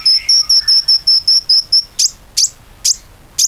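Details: Common iora song played to coax other ioras into singing: a steady run of nine clear high piping notes, about three per second, then four spaced harsh, explosive chips.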